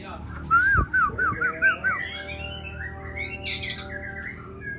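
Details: Champion breeding White-rumped shama of the Aceh type singing a series of wavering, looping whistles, followed by higher squeaky chattering phrases, with a knock near the start.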